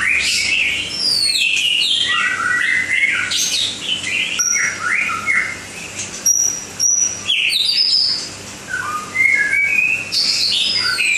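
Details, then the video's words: White-rumped shama from Langkawi giving a long, varied song of loud whistles, slurred upsweeps, high thin notes and rapid chattery phrases, with short pauses between phrases. "Burung Murai Batu Langkawi 2"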